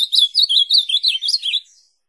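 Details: Ultramarine grosbeak song used for training a pet bird to sing: a rapid run of about eleven warbled, slurred whistled notes, high and sweet, dipping and rising, fading out at the end; clean recording with no other sounds.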